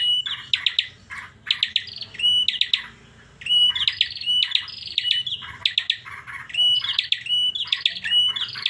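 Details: Unusual call of a Bar-winged prinia, kept bird: clipped high chips run into brief level whistles, phrases repeated about every second with a short pause midway.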